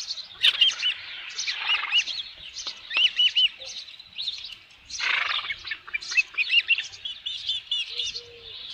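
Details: Osprey at its nest with a headless fish, 27 June 2018 around 12:48 PM: runs of high, sharply arched whistled chirps repeated in quick bursts, with brief pauses between series and faint low rumbles beneath.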